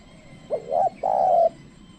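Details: Spotted dove trained as a lure, calling wild birds that keep their distance. A single phrase: a short upswept note, a wavering coo, then a long flat low croon.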